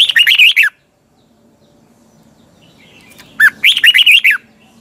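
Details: Morning song of a caged red-whiskered bulbul in a tightly twisting double voice, used for training birds: a warbled burst of clear whistles, a pause of nearly three seconds, then a longer burst of similar chirpy notes.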